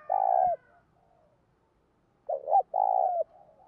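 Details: Spotted dove cooing in thúc style to rouse decoy birds: a long, low, even coo, a quiet pause of nearly two seconds, then a clipped double note leading straight into another sustained rolling coo.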